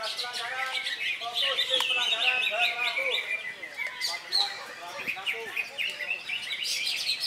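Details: Caged greater green leafbird at an Indonesian song contest on Saturday 3 September, recently molted; busy overlapping chirps and trills from many birds, with people talking in the background.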